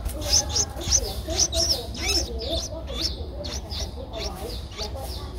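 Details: Streak-eared bulbul nestling at 11 days, Ubon Ratchathani, Thailand, April 2023: bursts of high piping chirps, loudest at first, then softer and irregular, with low chattering sounds underneath.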